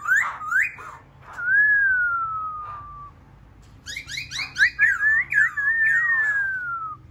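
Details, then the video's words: Laughingthrush song of looping whistles and a long, smoothly falling whistled note, then a rapid cluster of sharp rising notes and a final long descending whistle. "khướu bổi hót"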